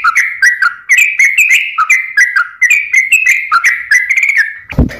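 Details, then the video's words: Sooty-headed bulbul (trucukan) singing a lure song meant to get quiet birds singing: string of fluty, chuckling notes that rise and fall, ending with a brief low thump. "pancingan suara burung trucukan gacor"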